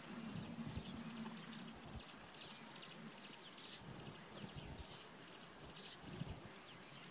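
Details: A Bay-backed Shrike switches from its usual call to mimicking another bird, apparently a warbler, with thin, high, scratchy chips in quick irregular bursts, over a low rumbling background and faint bleating.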